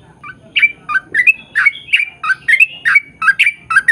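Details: Yellow-vented bulbul in full chattering song, meant to coax others into answering: quick bubbling two-part notes with bright whistled tails, tumbling along roughly three per second after a soft start.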